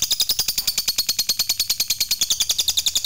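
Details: Fighter lovebird in a long ngekek song, played to provoke other lovebirds into singing. A fast, even chatter of high, scratchy notes runs about seven per second without a break.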